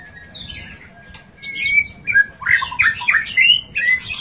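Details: White-rumped shama singing, played to coax a quiet, lazy bird into song during sunning: a thin steady whistle, then a fast run of bright slurred and warbled notes growing louder toward the end.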